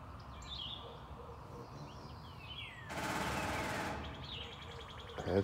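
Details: Two woodpeckers sit atop a pole, one courting the other: a rapid, rattling drum roll of about a second, hard and metallic like machine-gun fire, with faint bird chirps and background noise. The courted bird then flies off.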